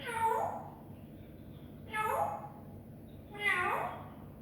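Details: Pet grey parrot indoors in a talking mood: three separate drawn-out, nasal, meow-like calls with a bending pitch, spaced about one and a half seconds apart, in a quiet room.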